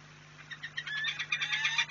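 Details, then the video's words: Peregrine falcon pair mating in the morning at Płock on 11 March 2021, heard as a series of short, rising, slightly harmonic cries that grow louder and quicker over two seconds, with a steady low hum behind them. "zalężanie na dzień dobry"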